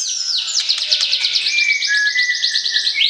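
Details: White-rumped shama in a cage, singing during pairing to stir the opposite sex: a fast, rhythmic train of high repeated notes over a lower, sliding whistled tone.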